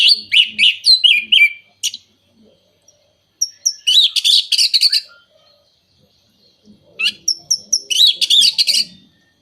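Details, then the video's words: Song of the orange-headed thrush, known locally as anis merah, used to spur moulting or silent birds: three dense bursts of fast chattering, scratchy and whistled notes separated by pauses of about two seconds. "Pancingan Burung Anis Merah Mabung, Macet, dan Kurang Birahi"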